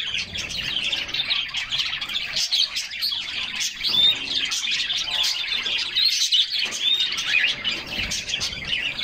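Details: Canaries splashing in a cool bath in summer keep up a lively, overlapping stream of high tweets and trills, with a few clear whistled notes standing out.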